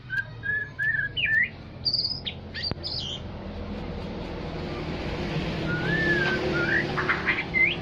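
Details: White-rumped shama singing as a lure meant to provoke other birds, an Aceh type: short whistled and slurred phrases in a burst at the start, a quiet gap, then more rising whistles near the end over a low background hum.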